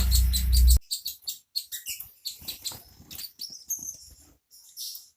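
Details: Bird song offered as a training master for white-rumped shamas and magpie-robins: a loud low rumble at the start, then fast, shrill, twittering notes and short trills in a lively, broken sequence.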